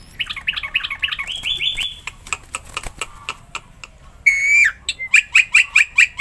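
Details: Caged Black-winged myna singing to prompt other mynas: a jumble of quick chattering notes and a brief rising whistle, a gap with scattered clicks, then a long harsh falling squawk and a rhythmic string of sharp chirps.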